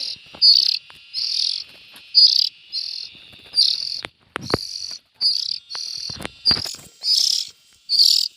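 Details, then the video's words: Young bulbuls produce buzzy, hissing bursts one after another, with several sharp clicks and knocks in the background. "Tiếng chim chèo non.suab mi nyuam noog siv txaij"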